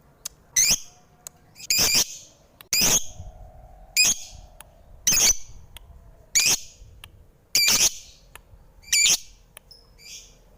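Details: Lovebird giving loud, harsh, separate squawks roughly once every second or so, each short and shrill, with quiet pauses in between.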